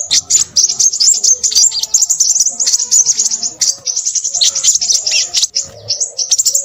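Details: High, rapid, scratchy chatter from a crimson sunbird, a busy torrent of thin chirps and short trills delivered almost continuously.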